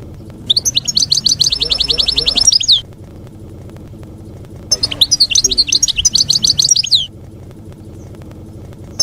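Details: European goldfinch singing field-style campero song for educating young birds: two runs of fast, evenly repeated high chattering notes, each about two seconds long, with quiet humming gaps between.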